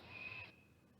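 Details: A juvenile great horned owl gives a begging call: a single harsh, hissing screech about half a second long, raspy and high with a thin whistled edge, then stops.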